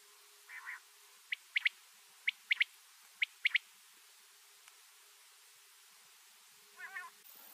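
Quail giving sharp, high clipped notes, a single then a quick pair, about once a second, with a softer mewing, wavering call at start and end.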